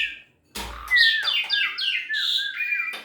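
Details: Young black-winged starling in song; after a brief pause, a loud thump, then a string of clear slurred whistles stepping downward and wavering, ending in a harsh burst.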